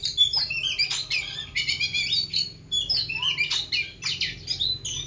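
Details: Oriental magpie-robin raised from young sings a rapid, varied stream of high chirps, trills and squeaky notes in bursts with brief pauses, with a faint low hum behind.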